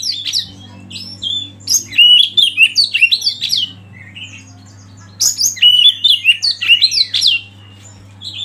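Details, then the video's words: Oriental magpie-robin used as a lead bird to provoke others into singing: two bursts of rich, varied whistled phrases with sweeping, slurred notes and quick chirps, separated by a short pause, over a low steady hum. "Masteran KACER Pancing Emosi dan bikin gacor yg lain"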